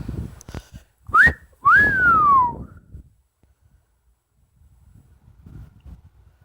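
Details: Pet Amazon parrot indoors giving two clear whistled notes: a short upward slide, then a longer note that rises and glides smoothly down, followed by quiet room noise.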